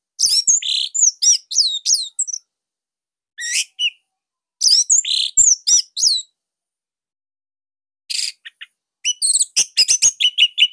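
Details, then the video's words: Orange-headed thrush of the Bali type singing a loud, compact song used to train other thrushes; short bursts of high twittered and whistled notes separated by pauses, ending in a quick repeated series. "Kicauan Joss ANIS MERAH Pancingan Masternya Para JUARA"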